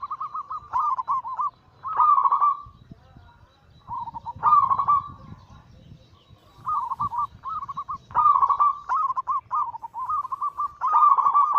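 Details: Kept zebra doves, local and Bangkok-cross perkutut strains, cooing: bursts of rapid rolling notes, a quieter stretch with faint background rumble, then dense overlapping trilled phrases from more than one bird.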